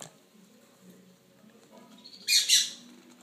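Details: A hand-fed baby Lutino rosy-faced lovebird, two weeks old, lets out a sudden loud, raspy double squawk late in the recording after a few seconds of near silence.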